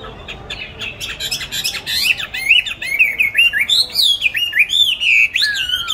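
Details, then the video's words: Songbird kept caged and fed consistently, bought 19 May 2020, said to sing in any place and time; soft chatter builds into loud, rapid, zigzagging whistled phrases that climb and dip repeatedly. "Chăm chim đều tay ,cám ổn định hót mọi địa hình ,mọi giờ giấc"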